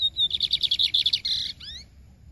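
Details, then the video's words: Lined seedeater, Maranhão song type: a short whistle, a fast run of high chipping notes, a steady buzzy trill, then two descending slurred whistles before quiet. "BIGODINHO COM CANTO DO MARANHÃO"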